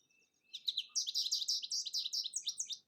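American Goldfinch song: a rapid run of bright, high twittering notes, about five per second, varied and canary-like, with no other sounds.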